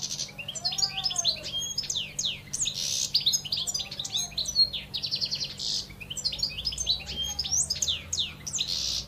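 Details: European goldfinch of wild origin, caged in Algeria, pouring out a long liquid twittering song of quick chirps, rattles and buzzy notes in repeated bursts. Soft lower arching sounds and a constant low hum are also audible.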